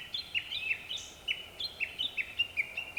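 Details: Japanese thrush singing around dusk among several others; bright, clipped notes in short uneven groups, each a quick downward flick, repeated several times a second.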